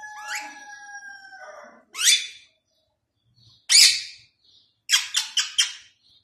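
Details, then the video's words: Pet rose-ringed parakeet, a talking bird heard in Urdu and Hindi, giving a drawn-out whistled tone, then sharp isolated shrieks and a quick burst of four clipped notes, with silence between. "Mitthu Ringneck Talking Parrot Speaking In Urdu Hindi"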